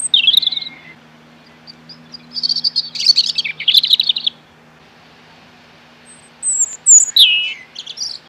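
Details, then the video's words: Singing robin delivering varied phrases: a short whistled opening, then dense scratchy trills and chatters, a long pause, and a final burst of clear descending whistles and twitters, over a faint steady hum. "Amazing Bird Robin Singing"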